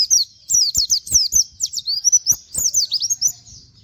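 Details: Plain flowerpecker (pleci), kept bird used as a master for training songbirds, its sound likened to canary. Continuous rapid string of very high, sharp, slurred chirps with scattered clicks beneath.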